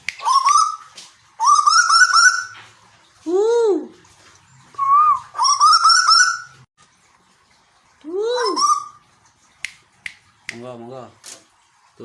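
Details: Captive Tuwu (Asian koel) kept in Bogor, Indonesia, giving harsh buzzy rising calls mixed with arched squawking notes in irregular bursts, followed by a few clicks and short chattering sounds.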